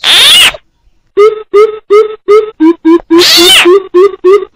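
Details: Coucal calls combined with frog calls as a trapping lure; deep hollow hoots at roughly three per second follow a loud rasping burst, and another harsh burst breaks the series midway.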